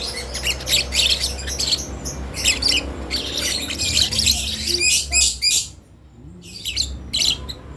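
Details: Lovebird chick learning to make sounds, producing rough buzzy squawks in a fast, irregular stream that stops briefly near the end before a few more calls, over a low rumbling hum.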